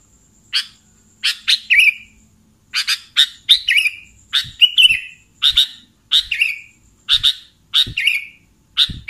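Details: Lure call of a sooty-headed bulbul for catching bulbuls: sharp chirps in pairs and triplets, each ending in a short warbled slur, repeated roughly every second with a faint steady high whine behind.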